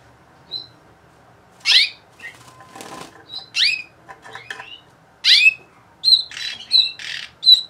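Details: Bulgarian canary, the 2020 bird named Orpheus, from Sofia, Bulgaria, singing indoors: sparse, separated notes, steep downward-sweeping whistles and short chips with gaps between them, ending in a few brighter clipped notes close together.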